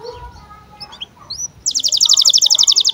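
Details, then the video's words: Canary birahi chirps for tutoring young birds: faint scattered twitters at first, then a loud, rapid rattling trill of high pips for the last second and a half. "KENARI GACOR Cuit CUIT BIRAHI UNTUK PANCINGAN & MASTERAN Kenari PAUD AGAR BUNYI DAN NGEROL"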